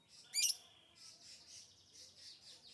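A lovebird gives one sharp, piercing chirp, then a run of softer, high, hissy chattering notes about every half second.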